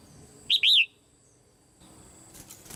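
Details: Female red-whiskered bulbul in a cage, calling to spur other birds into singing; one bright two-note phrase, a short rising note then a longer arched slur, followed by a quiet pause and soft rustling.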